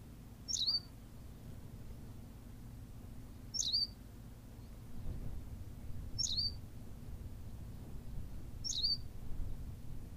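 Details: Berthelot's pipit from La Gomera, Canary Islands, giving four crisp high chirps at fairly even intervals of about two and a half seconds, steady low rumble underneath.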